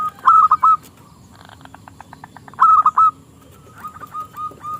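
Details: Local zebra dove with a small, crystal-clear voice, used to tempt rival doves into singing: two loud rolling coo phrases with a soft pulsed rattle between them, then fainter notes.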